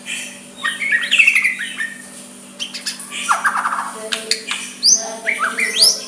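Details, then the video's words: White-rumped shama soft song used to provoke a rival to answer, mixing rich warbled phrases, harsh squawky notes and sharp upslurred whistles, with a constant low electrical hum beneath. "Murai batu suara lembut cocok untuk MEMEKAT lawan ikut emosi dan saling balas"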